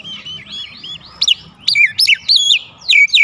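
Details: White-rumped shama lure song aimed at drawing replies from other birds: soft arched whistles over a low hum, followed by loud, sharp rising and falling whistled notes in quick succession.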